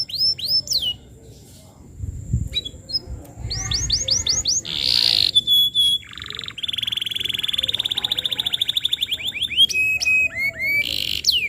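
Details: Lure recording of a vigorously singing canary, used for tutoring young canaries: a varied high-pitched song of short whistled phrases and rapid buzzy trills, with a sustained rattling trill near the middle and sharp upswept notes toward the end.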